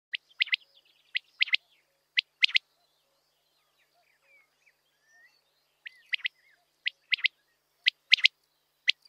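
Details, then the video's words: Common quail calling: groups of sharp, dry, clipped notes, often two or three in quick succession, repeated about once a second. The calls come in two bursts separated by a few seconds of near silence. "Son de la Caille des blés (coturnix coturnix)"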